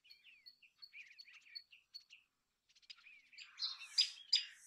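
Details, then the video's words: Common tailorbird singing; soft, quick repeated chirps and short downslurred notes, followed by louder, harsher bursts of chatter toward the end. "Common Tailorbird Call ! Common Tailorbird Sound ! Common Tailorbird Song"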